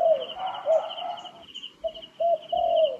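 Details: Wild turtle dove heard in a bird-trapping setting, giving soft, mellow cooing notes in short phrases, with a brief pause in the middle, over a thin steady high-pitched tone.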